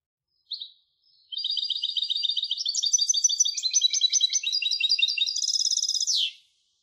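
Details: A European goldfinch hybrid gives a short chirp, then a long, busy warble of quick, high, tinkling notes that rises in stages and finishes with a sharp downward slur. Quiet background.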